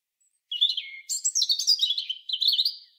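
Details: Song of a European robin: a quick, high-pitched phrase of thin whistled notes that drop, then a rapid jumble of tinkling twitters that ends on a rising, slurred whistle, against a silent background.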